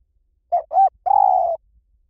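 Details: Spotted dove singing in the luk-tan style, played to train another dove to answer back: two short low coos, then a longer, rolling, slightly trilled coo, all at one mellow low pitch, in a quiet setting.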